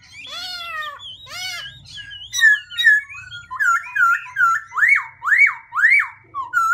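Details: Black-throated laughingthrush singing and changing its voice continuously: loud clear whistled slurs open the phrase, followed by a run of five arched rising-and-falling whistles in quick succession.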